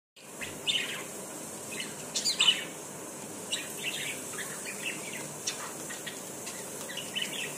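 Budgerigar chirps, short high scratchy notes scattered irregularly over a steady hiss.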